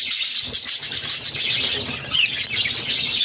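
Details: Budgerigar chicks, a brood of six kept as pets, being fed by their mother; pulsing, high, wheezy begging chatter with a few sharp chirps.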